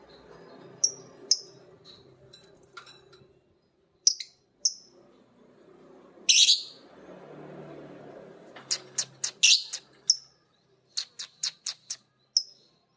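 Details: Caged lovebirds, a biola green and a PB Piet, learn ngekek singing from each other and from a master recording. Sharp high chirps come in scattered pairs, then a harsh burst, then a fast run of clipped notes, over a low background hum.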